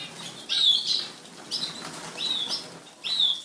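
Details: European goldfinch (Carduelis carduelis), song.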